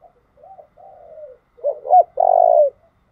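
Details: A spotted dove coos to rouse decoy birds: soft gliding opening notes build to a hooked double note and a final long, loud, level coo.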